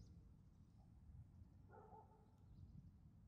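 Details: On the Ganghwa Island tidal flats, a red-crowned crane from a family group utters a single clear, harmonic trumpeting note midway through, against a constant deep rumble of background noise.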